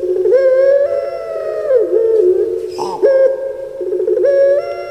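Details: Puter pelung turtle dove, a kept bird in Java, Indonesia: long, resonant coos on a low pitch, rising in steps, dipping and wavering, broken by a short rough note before another long phrase begins.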